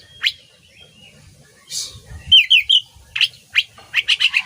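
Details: An Oriental magpie-robin singing for songbird training: sparse sharp chips and a raspy burst, then a quick trio of whistled notes and a rapid series of loud clipped chirps.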